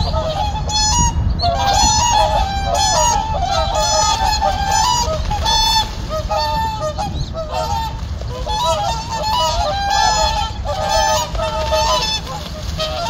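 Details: Whooper swans spending winter on a reservoir, five or six birds back after a night away and fighting in the morning; loud trumpeting honks come in clustered bursts, roughly one a second, with brief lulls.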